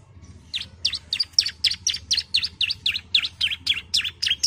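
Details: A female bar-winged prinia calls to a male with a steady series of sharp, high, V-shaped chips at roughly four per second, growing louder after the first half-second.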